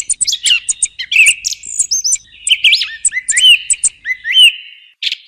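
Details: Song thrush singing a busy, varied passage of high ticks, slurred whistles and looping notes, some phrases given twice, loud and clear with almost no background noise.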